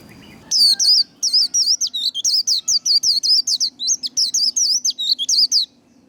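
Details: Singing white-eye, 'líu' style song used to fire up and train other birds: after a soft start, a fast string of piercing whistled slurs, rising and falling, around twenty notes over five seconds.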